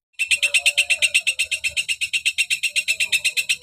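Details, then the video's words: Fast, even chatter from a long-tailed shrike singing vigorously: a bright, metallic note repeated about eight times a second without pause, part of its sharp 'tembakan' variation song. "Cendet Gacor Variasi Tembakan Tajam"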